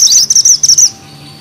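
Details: Bushchat singing in a lively, sharp style: a fast run of high, thin chirped notes for about a second, then stopping, with a faint hum behind.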